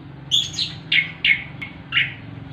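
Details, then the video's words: Orange-headed thrush singing in the relaxed ngeplong ngerol style: a run of five short, bright whistled phrases, each sliding or warbling, spaced about half a second apart, over a low steady hum. "Anis kembang ngeplong ngerol santai"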